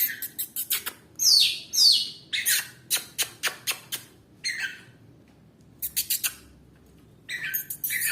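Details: Oriental magpie-robin in full song: quick runs of sharp, high chirps and short rasping bursts, with brief whistled slurs near the start, broken by short pauses and restarting after a longer gap.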